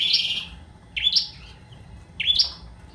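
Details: Bar-winged prinia singing actively: three buzzy, slightly rising high notes, each opening with a sharp upswept chirp, spaced about a second apart against a quiet background.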